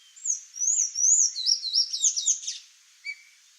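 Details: Wild Sayaca tanager visiting a Brazilian backyard for ripe fruit: a high, squeaky, twittering run of thin slurred notes for about two seconds, then a single short lower note.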